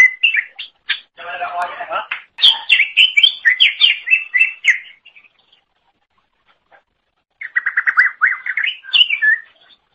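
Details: Greater green leafbird, or cucak ijo, in full song for tutoring songbirds: harsh chattering mixed with clear whistles, a silent stretch of two seconds, then a quick run of repeated up-and-down notes.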